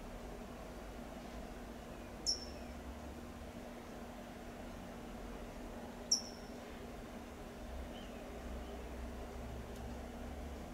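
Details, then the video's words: California towhee calling in Del Monte Forest, California: two short, piercing "tsip" notes roughly four seconds apart, set against a low rumbling background hum. "California Towhee’s Call"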